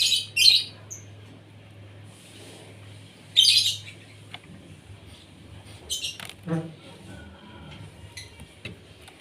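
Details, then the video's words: Asian pied starling at breakfast time, kept to sing freely, utters short rasping high bursts and clicks spaced a few seconds apart, with a steady low hum and some knocking sounds. "SARAPAN PAGI BURUNG JALAK SUREN SUPAYA GACOR"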